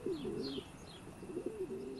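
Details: A pigeon nesting in a church bell tower in Weinviertel, Austria, in summer, gives low, soft, rolling coos, a few throaty phrases in two seconds, with faint higher chirps from other birds in the background.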